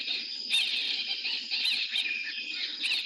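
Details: Hartlaub's (white-rumped) babblers, resident in lodge gardens near Mahango National Park, Namibia, give very loud, harsh chattering and squealing calls that overlap in a continuous raucous chorus, with no other clear sounds.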